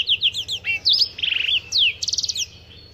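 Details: Brief, lively phrase from a Black-throated canary, a bird from Africa: quick high chirps, a buzzy warble and two fast trills of evenly repeated notes.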